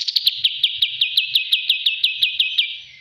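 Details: Kapas tembak bulbul from a master training recording giving about fifteen crisp, evenly spaced chirps in three seconds, fading slightly at the end, with faint low clicks beneath.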